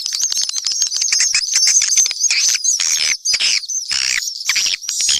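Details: Mixed swiftlets calling: high buzzy chirps repeated rapidly, some longer rasping bursts breaking through the clicking.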